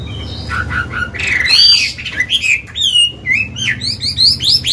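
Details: Chinese hwamei, an old wild-caught bird, sings to train caged birds: short low whistles, then loud sweeping notes rising and falling, and a run of quick looping whistles, with faint low rumble beneath.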